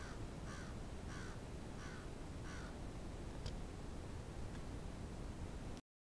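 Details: Crows from a large flock in Moncton, New Brunswick, on a city street, giving a series of harsh caws, about five in the first three seconds, over a steady rumble of background noise.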